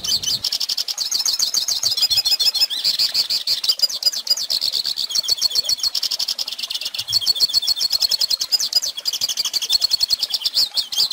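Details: Singing goldfinch, recorded so young birds can learn the song; a long, unbroken high-pitched twittering with fast trills, buzzy notes and rapidly repeated chirps.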